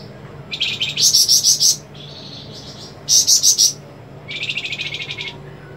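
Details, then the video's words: Loud white-rumped shama singing in the 'geter' style, with sharp 'besetan' notes: rapid pulsed high trills in three bursts, each a string of about six quick shrill beats, separated by a softer buzzy phrase. Low hum in the background. "Flamboyan masteran Murai rif/ Besetan tajem"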